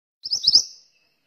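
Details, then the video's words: Pied bushchat (mantenan) giving a short energetic phrase of three or four high, slurred rising chirps run closely together, trailing off into silence. "suara burung mantenan gacor"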